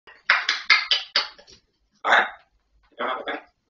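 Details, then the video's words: Grey parrot talking: a quick run of five clipped, speech-like syllables, followed by two longer, rougher voiced bursts after short pauses, in a quiet indoor setting. "Perroquet qui parle /Gris du Gabon"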